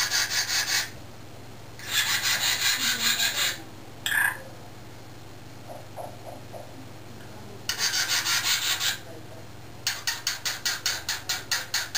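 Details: Harsh rasping and rubbing strokes in bursts, some quickly repeated, with no clear animal voice.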